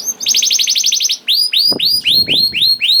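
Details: Young canary song, used to get hesitant canaries singing: a tight, fast rolling trill followed by a series of ringing whistles curving downward, about four each second.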